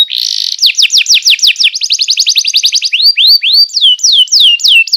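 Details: Canary tutor song for training young birds: a brief buzzy note, then rapid trills of sharply descending syllables, followed by slower swooping upslurred whistles and falling notes, bright and high-pitched.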